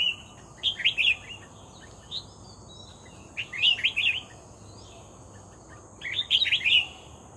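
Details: Red-whiskered bulbul, caught by trapping, in full song. Lively chattering phrases of rapid looping whistles recur roughly every two to three seconds, with a softer single note between them and a steady faint hum underneath.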